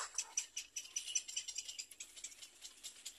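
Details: A little black cormorant about to feed its chick gives high, thin, scratchy chittering in rapid bursts, about two or three a second, with no other sounds.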